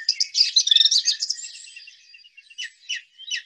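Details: A Song Thrush in winter, singing as Christmas nears, gives a very loud, repetitive song, often repeating a note two to five times before changing: a dense burst of varied whistles and chirps, then short sharp notes, each repeated a few times.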